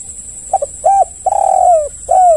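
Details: Single spotted dove phrase used to lure other doves into calling: two short soft notes, a rounded coo, a long purring trilled coo sliding downward, and a final falling coo, with a steady high-pitched whine.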